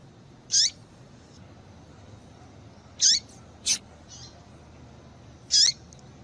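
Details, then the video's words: Female yellow-bellied seedeater call, used to stimulate males to sing: three brief, high, thin notes, each sliding downward, spaced about two and a half seconds apart. A fainter short note follows the second one, over a quiet background. "Melhor Piado de Fêmea de Papa capim Para Esquentar Papa capim"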